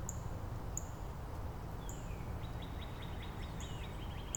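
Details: Northern Cardinal in Angrignon Park, neighbour singing higher units followed by lower faster ones; a downward slurred whistle leads into a brisk string of about ten short repeated slurs, with high thin notes of other birds around.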